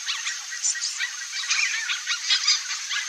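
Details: A nesting pair of Red-bellied macaws (Orthopsittaca manilatus) in the breeding season: harsh, scratchy squawks and rapid chatter, overlapping almost without pause in a dense, high-pitched jumble.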